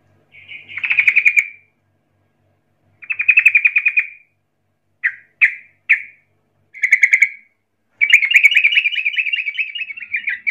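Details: Sooty-headed bulbul rolling song, used as a lure provoking rivals to respond; rattling trill phrases, a few short separate chips, then a long wavering trill running to the end.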